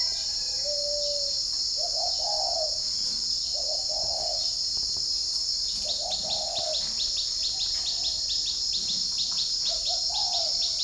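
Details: Spotted dove at a keeper's garden in Ba Vì, Hanoi, Vietnam, cooing in the morning as wild birds answer. About five soft, rounded coo phrases come every couple of seconds. Rapid ticking insects start midway, over a constant high drone.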